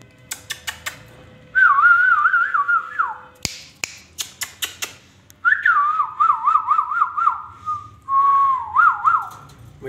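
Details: Indian ringneck parakeet, a talking pet parrot. Three bouts of warbling, wavering whistles hold a steady mid pitch, interspersed with sharp clicks and taps.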